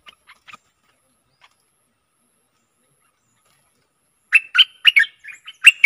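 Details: Stripe-throated bulbul decoy song for luring aggressive wild birds: a few faint, scattered chirps, then near-silence, before a loud burst of liquid, chattering notes in the last second and a half.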